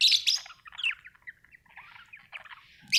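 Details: Happy budgie opens with loud sharp chirps, then softer twittering and murmured warbles, ending with another bright chirp.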